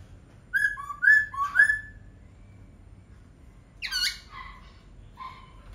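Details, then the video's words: Laughingthrush singing clear whistled phrases, several short rising and falling notes, a pause, then a burst of harsher notes and a softer whistle. "Khướu hót cực hay."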